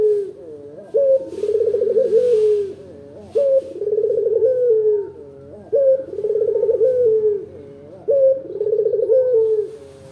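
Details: Local dove singing loudly, a lure song meant to provoke other doves into replying: four deep cooing phrases, each a sharp rising note followed by a rolling, pulsing trill, repeated roughly every two and a half seconds.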